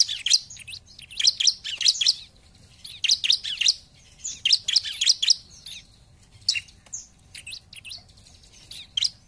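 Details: Rapid bursts of shrill, high chipping notes from a bar-winged prinia singing gacor as a lure for rival birds, grouped into several dense phrases with short gaps and a soft low background hum.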